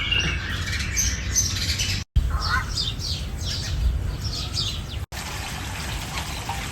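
Asian koel giving a fast run of shrill, descending kik-kik notes in quick bursts, over a steady low rumble with abrupt cuts.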